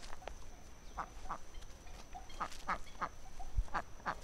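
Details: Ducks with ducklings: quiet, scattered quacks, some doubled, spread across four seconds over a muffled low-frequency rumble.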